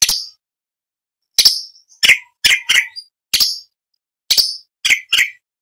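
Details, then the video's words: Song of an orange-bellied leafbird, meant as variation material for training songbirds: crisp, sharp notes in loose groups of two or three, alternating high piercing notes with lower slurred ones, separated by silent gaps. "Cucak Cungkok Istimewa - Isian variasi Materi Lomba For Murai C.Ijo Kacer / Orange Bellied Leafbird"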